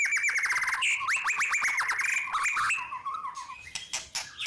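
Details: White-rumped shama singing a long, unbroken song used as a lure to stir other birds: dense run of sharp whistled notes, rapid slurred upsweeps and trills, packed closely at about four notes per second, loud and piercing throughout.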